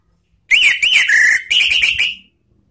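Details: Orange-headed thrush, training lure song in "ngeplong" style. Loud, piercing whistled notes bend up and down in quick succession, then a second, higher whistled phrase, about two seconds in all.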